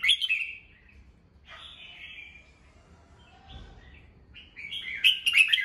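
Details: Red-whiskered bulbul kept as a cage bird, morning song used to train young birds' voices and excite them; two bursts of bright warbled, chattering phrases open and close the clip, separated by softer whistles and a quiet gap.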